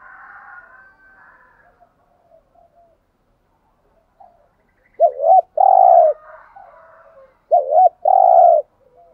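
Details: Decoy spotted dove cooing: two strong phrases late on, each a quick doubled note followed by a sustained mellow coo, preceded by softer background bird calls.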